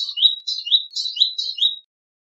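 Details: Male Palestine sunbird giving a series of high, down-slurred twittering phrases, about six linked notes that each drop in pitch, delivered quickly in under two seconds, with no background noise.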